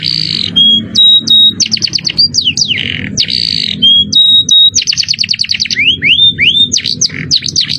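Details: Canary singing ornate cengkok mewah phrases in a shrill jerih voice for training: buzzy bursts, held whistles, quick chip trills and rising slurs repeated twice, above a noticeable low humming background.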